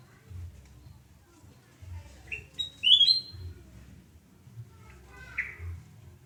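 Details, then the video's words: In the morning at a Surabaya home, 29 November 2017, a sooty-headed bulbul sings a single bright whistled phrase, then a lone slurred note, over soft low thumping background sounds. "Kicau merdu kutilangan emas Surabaya"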